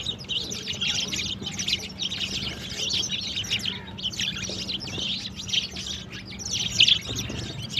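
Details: Sparrows in the morning, playing with and drinking water: a dense, steady chorus of high, sharp chirps and tweets overlapping continuously from several birds, with a faint low hum underneath.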